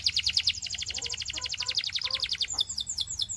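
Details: Belgian canary in song: a rapid, steady trill of many short, bright repeated notes, then a switch to a few fuller, downward-sliding phrases near the end.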